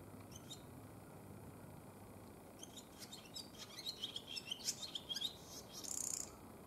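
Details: Male barn swallow wintering in a cold region, calling a female to the nest on 7 February 2020. Quiet start, then rising twittering warble of quick chirps ending in a short harsh rattle.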